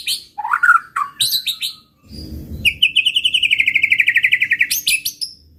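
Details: White-rumped shama song used to provoke rival birds: varied whistled and chattering phrases, then a long fast buzzy trill of rapid repeated notes, ending in high sharp chips.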